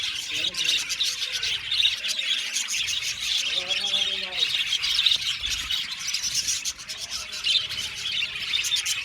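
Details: Budgerigar colony singing: a dense, high chattering warble full of quick chirps, with a few clearer rising and falling whistled notes standing out midway.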